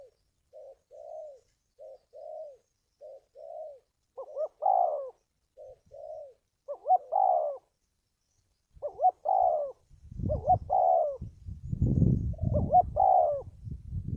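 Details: Spotted dove calls used for luring birds to traps: soft short paired coos building into fuller phrases of pulsed and falling coos, with low rumbling noise in the second half.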